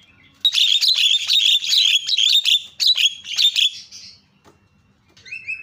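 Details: Javan myna calling loudly as a lure to get other mynas to call: a dense burst of harsh, scratchy chattering notes for about three seconds, then a pause and a brief squawk.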